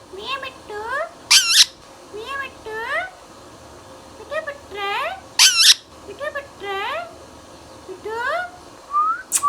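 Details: Talking pet Indian ringneck parrot, green, calls repeatedly. Short rising nasal notes come in quick pairs and runs, broken twice by loud raspy screeches, over a low steady room hum.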